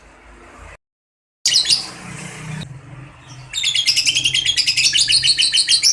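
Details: Lovebird with a long trill meant to stir silent birds into song: a brief break and some scratchy noise first, then a dense, rapid, high chattering trill over the last two and a half seconds.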